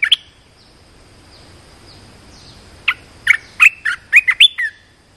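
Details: Red-whiskered bulbul used as a decoy to lure a wild bird: faint high down-slurred chirps, then a lively phrase of six or seven loud, bubbly, rising and falling whistled notes.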